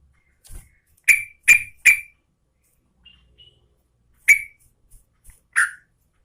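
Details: Female sooty-headed bulbul in breeding condition calling the male: three sharp, harsh chirps in quick succession, a quiet gap, then two more separate chirps, in a silent background.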